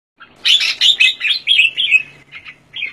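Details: Singapore-kept Red-whiskered Bulbul, an open-tail jumper display competition bird, sings a rapid, continuous run of bright, rich warbling notes, loud at first, then trailing into softer chirped phrases, with no other sounds.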